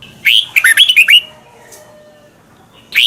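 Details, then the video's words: Red-whiskered bulbul from Thailand, song played each morning so young birds learn it: one quick bubbly phrase of about six bright, slurred whistled notes, then silence and the start of a second phrase. "นกกรงหัวจุก | Thailand bird, 30 นาทีทุกเช้า เพื่อให้นกเรียนรู้ที่จะพูดได้อย่างรวดเร็วและหนักแน่น"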